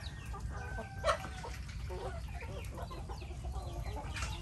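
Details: Chicken clucking among a flock of chickens and ducks during Typhoon Noru rain: a drawn-out harmonic cluck, then a string of brief overlapping clucks, all over a low, steady wash of rainfall.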